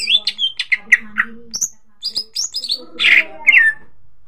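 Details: Greater green leafbird singing a lure track to make other cucak ijo sing: varied sharp chirps and whistled slurs, some harsh buzzy bursts, delivered in an uneven, lively chatter with brief gaps.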